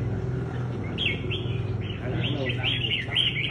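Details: Red-whiskered bulbul in a fighting contest, its style of fighting song: after about a second of low hum, a run of bright, short slurred chirps and warbled notes over steady low droning background noise.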